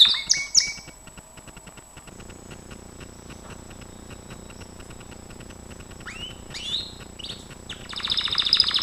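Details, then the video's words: A Gloster canary in song training sings bright whistled notes and rising slurs, then a fast, high rattling trill near the end, over a low steady background hum. "GLOSTER CANARY SINGING"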